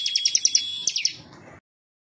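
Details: Bar-winged prinia (ciblek) delivering a fast series of sharp, high ticking chips over a thin steady whistle, about nine notes in a second and a half before falling silent.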